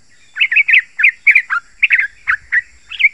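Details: Yellow-vented bulbul song used as a lure to stimulate other bulbuls and call in wild birds: rapid bubbly warbled notes around the mid range in quick bursts, a brief low rumble in the background.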